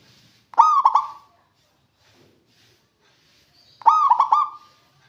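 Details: Local zebra dove (perkutut) cooing as a lure to get lazy birds singing: two matching phrases about three seconds apart, each a burst of rapid stuttering coos finishing on a drawn-out level note, silence between.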